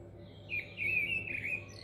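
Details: Mistle thrush in North Oxfordshire in May 2020. It gives one short, fluty song phrase of slurred whistled notes wavering in pitch, over a faint low hum.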